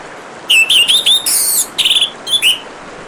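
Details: Loud, clear orange-headed thrush song: a run of fluid, rolling whistles, a harsher buzzy note and fast stuttered notes, then a falling whistle, all over a soft wash of flowing water.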